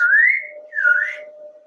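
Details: Pet male African grey parrot, hatched in 1997 and kept at home in Texas, being affectionate with its owner around Valentine's Day: two clear whistled notes, the first rising smoothly, the second dipping then rising, over a steady low indoor hum.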